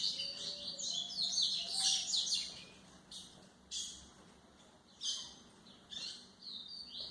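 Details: White-throated seedeater song meant for training young birds, opening with a rapid stream of high twittering notes, then separate sharp bursts every second or so over faint hiss.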